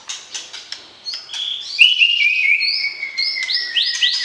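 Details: White-rumped shama being paired for breeding, singing to provoke the opposite sex: a few sharp ticking notes, then a long, steadily falling whistle overlaid with quick rising chirps.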